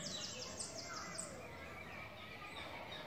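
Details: Fledging-age Eurasian nuthatch young at La Poudrerie, 28 May 2018: a quick run of about eight high, piercing down-slurred notes in the first second, then quieter chirps amid background noise.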